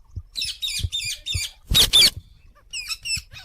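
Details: Parrot chirping in quick rasping bursts, four in a row, then two loud harsh squawks, then a few more chirps, with soft low thumps or taps underneath.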